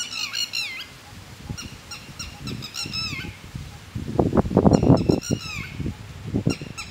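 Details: One of two red-wattled lapwings living in a garden, known to attack people who come too close, giving shrill, downslurred strident notes in quick runs, with loud low rumbling bursts of wind or handling noise midway. Red-wattled lapwing.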